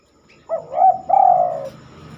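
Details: A spotted dove singing after dark, unusual for this bird. One phrase: a short rising coo, a second coo, then a longer, smooth, falling coo over a soft low background rumble.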